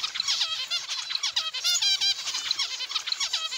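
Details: Zebra finches in an aviary: nasal, trumpet-like harmonic calls repeated rapidly, several birds overlapping in a busy, continuous chatter with no other clear sounds.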